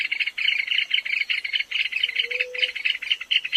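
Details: South American rail, small and shy, of drier thickets and wet pastures, giving a fast, high, clicking trill broken into short stuttering bursts.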